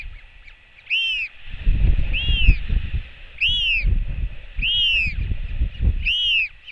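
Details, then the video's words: Five loud, evenly spaced arched cries, roughly every 1.2 seconds, as a royal albatross chick welcomes its mother back with a skycall; New Zealand nest camera, 24.06.08, wind rumbling beneath. "Royal Albatross Cam - 小信用呼喚歡迎媽媽LGL回來 TF Chick welcomes Mom LGL back with a skycall"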